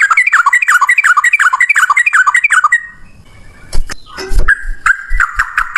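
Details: Yellow-vented bulbul giving a long single-breath ropel song with cucak rowo volume: fast looping whistled notes repeated about three times a second, then a break filled with clicks and knocks before the song resumes.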